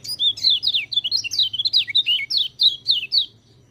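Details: White-eye song used as training audio for birds that rarely sing: a loud, fast twittering run of short sweeping, slurred high chirps, densely repeated with brief gaps throughout, over a faint low hum.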